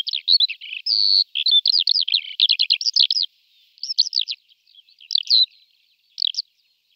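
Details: Eurasian skylark pouring out a fast, high, rippling warble of varied chirps and trills for about three seconds, then looser scattered phrases and a final short burst, with nothing else heard.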